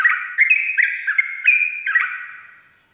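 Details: Ropel-style dawn song of a Sooty-headed bulbul: quick chuckling phrases of stepped, slurred whistles, about two notes a second, with a level bright tone running between them, fading out at the end.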